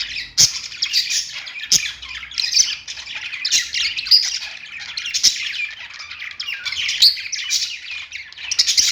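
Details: Budgerigars on a perch give a lively chattering song of scratchy twitters and short squawky notes. Occasional sharp clicks punctuate the steady, excited warble.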